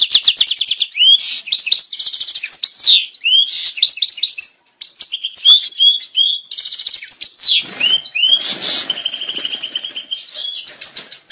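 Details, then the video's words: European goldfinch song meant to bring males and females into breeding condition: long, loud, fast twittering with tinkling trills, upswept whistles and a buzzy passage, barely pausing. "Saka kuşu çiftleşme sesi (saka kızıştırma)sesi"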